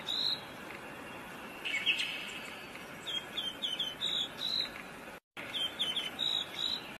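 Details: High whistled phrases from a rose robin, several quick descending notes followed by sustained tones, repeated a few times with a brief lower chirp between them and steady hiss behind.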